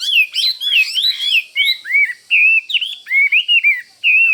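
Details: Loud, varied whistled phrases from a caged Chinese hwamei roused for fighting near a rival: slurred, looping notes delivered in bursts separated by short pauses.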